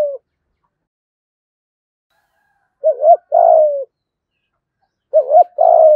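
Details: Spotted dove used as a decoy, cooing a complete song in the 'giọng thổ' style. A tail of one phrase, then two phrases about two seconds apart: a short two-note coo leading into a drawn-out descending coo. The background is quiet.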